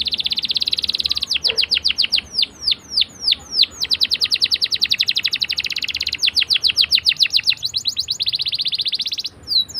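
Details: Singing canary, a lure for juvenile canaries learning to sing, delivering a long roll: fast high trills broken by slower downward-sweeping notes, then more rapid trilling with a brief pause near the end.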